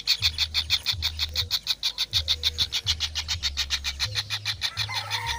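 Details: Kingfisher chicks give a quick, regular run of harsh rasping notes, with a faint whistle from another bird and a steady low hum.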